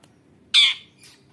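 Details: Female long-tailed shrike voicing a lure meant to prompt other shrikes to sing: one loud, harsh, scratchy squawk lasting a fraction of a second, then a much fainter rasping note, with quiet background otherwise.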